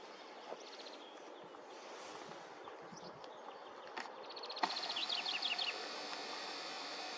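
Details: Lesser spotted woodpecker on Karmøy, Norway, in 2020, giving short series of thin, high, evenly spaced 'kee-kee-kee' notes over a steady hiss of background noise.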